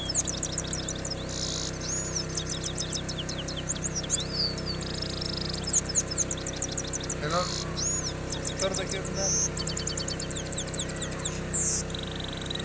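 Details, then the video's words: Trained European goldfinch singing against another goldfinch: fast, tinkling twitters and liquid trills with short buzzy notes, over a steady low hum and faint background voices. "Gold Finch Vs Gold Finch beautiful singing trained gold finch"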